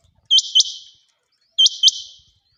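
A female quail gives two sharp, high, double-noted chirps about a second apart, each with a brief ringing tail.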